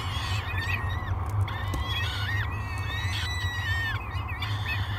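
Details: Three hungry peregrine falcon chicks at a Great Spirit Bluff nest cam, 24 May 2022, crying for food during a morning feeding: drawn-out, harmonic squealing wails, rising then bending down, repeated in quick succession over a constant low drone.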